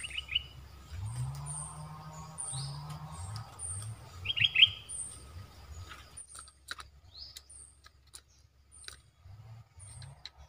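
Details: Caged Red-whiskered bulbul serving as a trapping decoy after molting. Brief rich warbled phrases at the start and again midway, sparse high thin chirps scattered throughout, and a low droning hum in the background.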